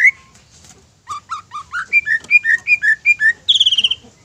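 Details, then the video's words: Greater green leafbird song used to provoke other leafbirds into singing: a series of clear whistled notes stepping from lower to higher, repeated about every quarter second, ending in a fast buzzy trill. "PANCINGAN INI BIKIN CUCAK IJO LAIN TERPANCING EMOSI DAN GACOR"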